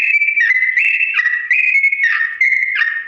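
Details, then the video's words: Sooty-headed bulbul in long, slow-toned ropel song, a tutor recording for other bulbuls to copy: clear sustained whistles stepping up and down between two pitch levels, each held about half a second, flowing without pause. "TRUCUK GACOR ROPEL PANJANG NADA PELAN"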